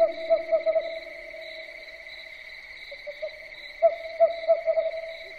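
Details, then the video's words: Owl at night giving quick clusters of short, mid-pitched hooting notes, two bursts separated by a quiet pause, over a continuous electronic-sounding hum. "SUARA BURUNG HANTU MALAM HARI"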